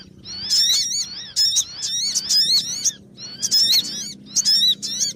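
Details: Bird-trapping lure of the sogon: strident, buzzy calls with rising and falling overtones in bursts about a second apart, separated by brief pauses.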